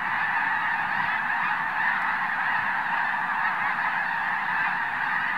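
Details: At Oregon's Summer Lake Wildlife Area, thousands of Arctic white geese launch into the air at once. Dense, loud overlapping honks run without pause, a uniform din of calling birds.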